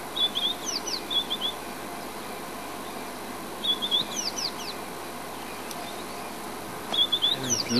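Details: White-browed scrub robin (Cercotrichas leucophrys) singing at Djuma, South Africa: short bursts of high, sweet whistled notes, a phrase roughly every three seconds, over a steady low hiss.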